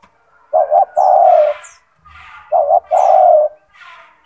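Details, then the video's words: Kept spotted dove (tekukur), described as a gacor singer with a big, loud, forceful voice, offered as a master song for training other doves: two phrases of low, hollow coos, each a quick double note then one long drawn-out coo, two seconds apart. "Suara burung tekukur gacor"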